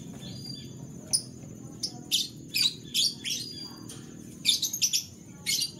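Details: Canary singing in the morning: a lively run of short, bright chirps and buzzy notes, several in quick doubled bursts, over a faint steady high hum and a soft low background rumble.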